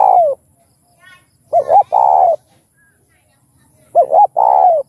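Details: Spotted dove song of the thúc, gù and gáy gọi types, used to rouse kept doves to coo. A falling coo, then two phrases of quick double notes leading into a long, even coo, with a faint low hum behind.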